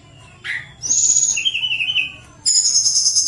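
A Sunda Robin gives high, flute-like whistles: a brief note, a long pure high whistle sliding into a lower sustained tone, then more high whistling.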